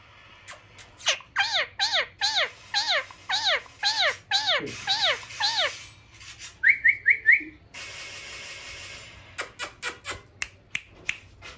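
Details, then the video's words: A friendly pet rose-ringed (ringneck) parakeet, described as a talking parrot, gives about nine clear, arching whistles at a quick, steady pace, then a few short rising chirps and sharp clicks. "talking |ringneck parrot"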